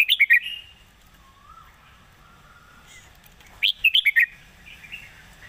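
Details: Red-whiskered bulbul, its song praised for good phrasing and a light delivery: a quick burst of four loud whistled notes, a quiet pause with a faint low slur, then a second rapid cluster of bright, bouncy whistles.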